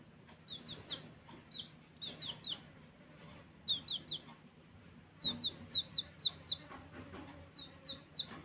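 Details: Baby chicks chirping while playing: clear, high descending peeps, fairly soft, in clusters of two to six with short quiet gaps over a low background hum.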